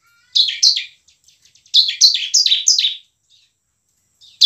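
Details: Bar-winged prinia in lively ngebren and nembak song meant to stir lazy prinias into singing and fighting: two sharp buzzy notes, faint ticks, then a rapid run of five rasping high notes.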